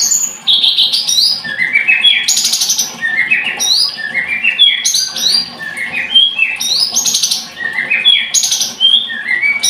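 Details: Blood-breasted flowerpecker song: high, thin phrases repeated about every two seconds, each a buzzy burst followed by a string of short whistled notes stepping downward, over a faint low hum.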